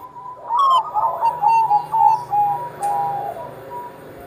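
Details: Zebra dove of the Bangkok line, played to get young perkutut singing: a click, then a rolling series of soft coos about twice a second, running into a long flat note with a low hum behind.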